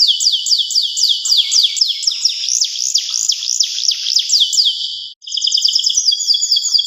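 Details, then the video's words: Local canary singing a long series of fast downward-sweeping whistled notes, about four a second, then after a short break switching to quick stuttering trilled phrases, high-pitched and clear. "Pesona kenari lokal full durasi gaya"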